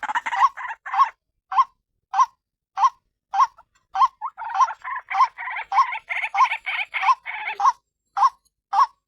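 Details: White-breasted waterhen call used as a lure to attract other waterhens: short harsh notes repeated in quick, fairly regular series, sometimes doubled, with a fuller, busier stretch of overlapping notes in the middle.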